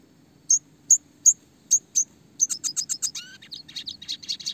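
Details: Red siskin kept as a classic songbird, used as a training tutor for other small birds: a row of sharp high chirps about twice a second, then a fast rapid roll of buzzy notes with a few descending slurred whistles.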